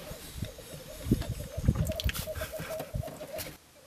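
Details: Black grouse displaying at a lek on the Florarna mire complex, about 150 km north of Stockholm, Sweden, in wet mid-April 2013; a steady low bubbling chorus of rolling notes runs throughout, broken by knocks and thumps close by.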